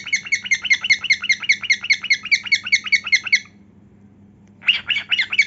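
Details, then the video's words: Singing cockatiel dancing with heartwings shown: evenly spaced raspy chirps repeat about four times per second for over three seconds, a quiet gap follows, then a louder, rougher burst of notes begins. "Cockatiel Dancing & Singing"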